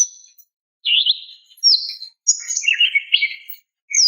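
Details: Calling female greater green leafbird luring a male: a few separate high whistled notes and a buzzy chattering phrase, spaced by pauses of about half a second.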